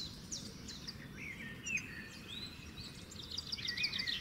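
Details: European goldfinch feeding in an alder: rapid liquid twitters and short sliding notes, growing busier toward the end, over a constant low rumble of ambient noise.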